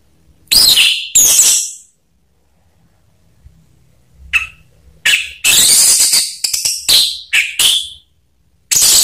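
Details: Orange-headed thrush (anis merah) lure recording, used to get quiet kept birds singing. Loud, harsh, rasping high-pitched bursts come in irregular clusters, separated by silent gaps of a second or more.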